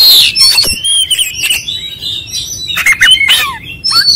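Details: Oriental magpie-robin in full song: clear slurred whistles, some held and some sweeping, broken by short harsh chips and quick trills, moving through varied material with short gaps between phrases.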